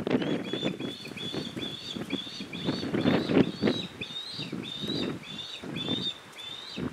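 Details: A recently fledged young Osprey begs its father to share his catch, with the mother and the other fledgling flying around them. Steady, insistent strings of piercing whistled chirps run throughout, about four a second, over gusty wind noise.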